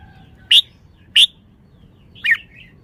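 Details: Red-whiskered bulbul giving two sharp, clear whistled notes about half a second apart, then a brief warbled phrase dropping in pitch.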